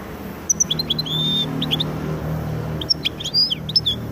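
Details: Widani-style singing from a goldfinch and canary cross: scattered twitters, one long steady whistle, a short pause, then bright chattering bursts. A soft low background hum runs underneath.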